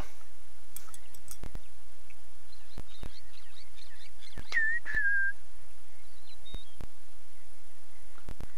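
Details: A displaying male Rufous-naped Lark, crest raised with wing flutters, Sabi Sands, South Africa, 18 Feb 2017 after rain; males compete for calling spots. It gives a sweet, slurred two-part whistle, rising then falling, amid faint bird notes, clicks and rumble.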